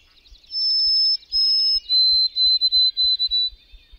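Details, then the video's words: Pure whistled song of a white-throated sparrow, opening with two sustained high notes held about half a second each, then dropping a little into a series of rapid, evenly repeated triplets; soft low ticking underneath. "White-throated Sparrow: Whistler of the North"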